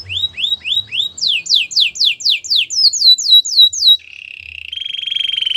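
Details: Gloster canary singing rising whistled notes, then fast descending sweeps repeated rapidly, ending in a smooth rolling buzzy trill.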